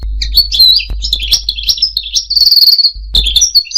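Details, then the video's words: Goldfinch singing a mating and tutoring song, a jumble of bright twittering notes and a short buzzy trill near the end, over a low steady hum. "مجموعة اصوات لطائر الحسون ل التزاوج و تعليم الحسون التغريد"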